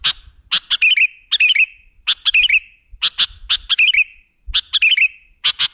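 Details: Sooty-headed bulbul song used as a lure to draw other birds, loud repeated phrases of sharp chirps and bubbly rising-falling whistled notes, about one phrase each second, with faint low knocks between.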